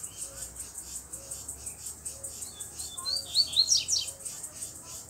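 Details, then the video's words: Free-living black double-collared seedeater with a bluish-white bill, singing firmly near a female and two young. A quick burst of sharp, high twittering notes rises out of a steady, fast pulsing insect drone, with faint lower chirps in the background. "Coleiro Preto do Bico Branco Azulado Solto Batendo Firme"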